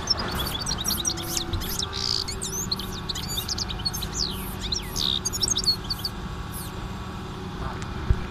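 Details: An excited European goldfinch sings worked up, a rapid stream of bright tinkling twitters and buzzy trills, high-pitched and continuous, over a low steady hum; recorded 2016.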